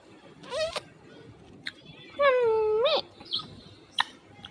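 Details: Pet parrot talking to its owner: a brief squeak, then one drawn-out, nasal, word-like call that dips and swoops upward at the end, among soft clicks; light background music.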